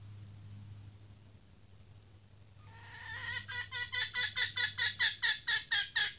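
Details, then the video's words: Female red junglefowl kept as a trained decoy bird: after near silence with low hum, a fast run of harsh cackling notes begins, about two per second, each note sliding downward and growing louder. "Ayam Hutan Pikat Betina 180"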